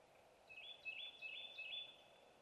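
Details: Barred owl owlets in a nest box high in a pignut hickory, on 1 May 2018, compete in a tug of war over a delivered snake. They give high, thin chittering and raspy squeals, overlapping in quick bursts for about a second and a half over a low steady hum.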